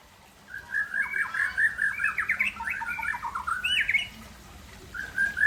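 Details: Afternoon singing from an Aceh white-rumped shama, a continuous rich outpouring of mixed whistled, chattering and slightly harsh notes in quick succession, ending with a louder high flourish and a short whistle.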